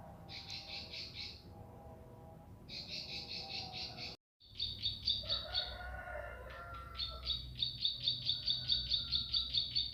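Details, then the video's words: Bar-winged prinia singing vigorously: rapid trains of sharp, high, doubled notes, several per second. A short cut breaks the recording, and lower warbling from another bird joins midway over a low background hum. "Masteran Burung Ciblek Pari Gacor"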